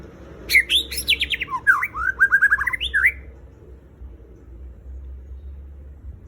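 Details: White-rumped shama song played to coax captive shamas into singing: one dense three-second phrase of sharp notes, quick descending whistles and a rolling trill ending in an upward slur, then near silence with faint low hum.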